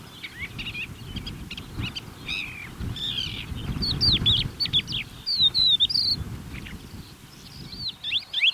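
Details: Wild crested lark at close range in the Manych steppe, 23 April 2024, hurrying to show off its gentle song in gusty wind: a lively run of varied whistled and slurred notes, some sharp upswept, amid steady wind buffeting.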